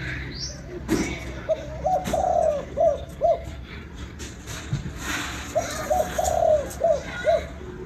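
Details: Vietnamese spotted dove giving the 'kích bổi nổi' call: two full phrases, each of short soft coos, then a long burred coo and two clipped closing notes, with faint clicks and a brief voice between.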